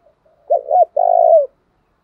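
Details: One spotted dove coo used to lure and provoke rival doves: a brief wavering two-part note, then a long sustained coo that drops at the end.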